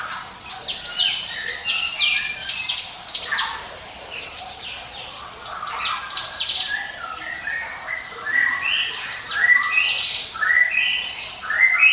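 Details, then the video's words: Prinia singing steadily, offered as a lure for other birds: dense phrases of high sweeping whistles mixed with lower clipped notes, repeated in bursts roughly every one to two seconds. "NGIWIT WIT SUARA CIBLEK GUNUNG SIAP JADIKAN PANCINGAN MU"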